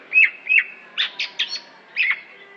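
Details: Greater green leafbird from Aceh, a competition bird: two whistled slurred notes, then three quick buzzy higher notes and a final slurred whistle.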